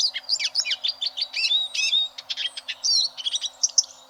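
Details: A Eurasian siskin sings a rapid, high, scratchy twitter of looping whistled notes and clipped chirps, with a brief strained note near the end; a tutor song for competition canaries.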